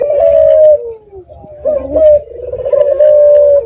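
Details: Red-eyed dove cooing as a lure meant to draw replies from other doves: a steady held note sliding down, a brief break, then a throbbing onset leading into another long, even coo.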